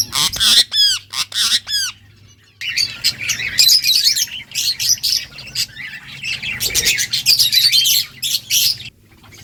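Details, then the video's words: Budgies talking to each other: a few loud rising-falling whistled calls, then dense continuous high chattering and squawky chirps for several seconds, ending abruptly, with faint low hum. "Beautiful birds chirping sounds budgies talking to each other"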